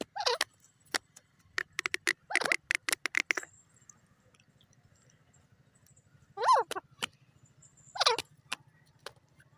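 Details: Teetar partridge calling in short harsh rattling bursts, with clusters of clicks and two louder looping calls near the end over a steady low hum.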